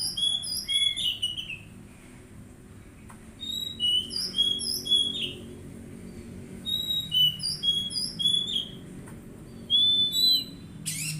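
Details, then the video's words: Oriental magpie-robin song from a therapy recording meant to make untrained birds start singing: clear whistled notes with bright overtones, grouped in short bursts near the start, middle and end, separated by quiet gaps. "Terapi Kacer Bahan Agar Cepat Bunyi"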